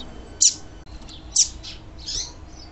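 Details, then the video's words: Female double-collared seedeater calling, used to excite males: brief, high, sharp chips about once a second, the last slightly longer and buzzier, over faint background hiss. "Piado de Fêmea de Papa capim Para Esquentar Papa capim"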